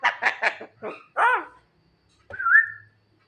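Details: Javan myna at night, calling its mate: a burst of four harsh, buzzy notes in quick succession, then a rough rasping note and a clear whistle that rises and levels off.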